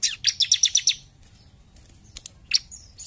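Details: Vigorous jump shoot song of a bar-winged prinia: about seven clipped, piercing high notes in fast succession, followed by a brief gap and a couple of sharp chirps.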